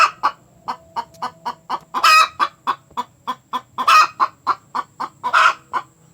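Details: Hen calling after laying an egg, a loud cackle said to draw other chickens: rapid repeated clucks punctuated by three long, harsh, raucous squawks.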